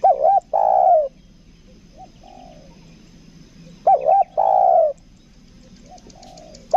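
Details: Lure spotted dove of the 'kuk dua' type, Lombok, cooing twice about four seconds apart, each phrase two brief wavy notes then a long falling coo; a fainter coo sounds between the phrases.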